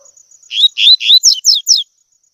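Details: Tui tui song of a double-collared seedeater, used to teach young birds to sing. Three slurred rising whistles are followed by three sharp descending high notes in under one and a half seconds. A faint steady high hum sounds behind.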